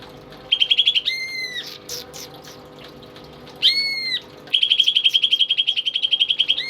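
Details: Tame pet greater green leafbird singing vigorously, kept as a tutor for other songbirds: a rapid buzzy trill, then a long flat whistled note with ringing overtones, a second whistle, and a long run of fast, even chattering pulses.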